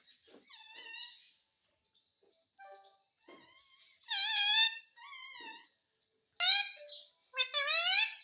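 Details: Indoor pet parrot chattering for roti, starting with soft, thin syllables and building to loud, rich, wavering phrases near the end, with brief quiet pauses between utterances.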